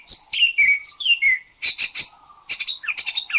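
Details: Spot-throated Babbler of Thailand, a varied rather than melodious singer: mixed phrases of slurred downward whistles, harsh broad chirps and squeaky rising notes, delivered in quick irregular bursts.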